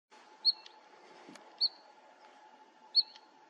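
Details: Bluethroat at Fokstumyr nature reserve in 2021: three sharp, high metallic notes, each with a short trailing tail, spaced over a second apart, over a steady low hum and faint background noise.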